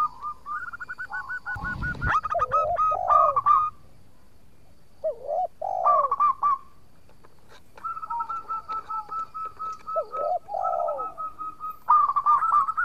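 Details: Local zebra dove singing eagerly as a lure to draw replies from rivals: quick strings of clipped notes ending in rolling, dipping coos, with phrases separated by short silences and one brief burst of noise early on.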